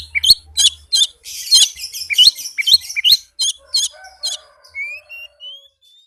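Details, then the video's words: Oriental magpie-robin song in a rapid, tight style, meant as a lure for magpie-robins that will not sing. Quick buzzy and chipping bursts come in a steady series, then the song ends in softer, thin rising whistles. "suara Kacer speed rapat cocok buat pancingan kacer yang susah on"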